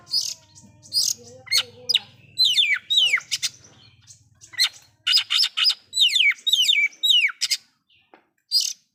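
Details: Oriental magpie-robin singing loudly with varied filler phrases that stir up rival magpie-robins: a lively mix of high chirps, downward-slurred whistles and sharp notes in uneven bursts, ending in sparse single notes.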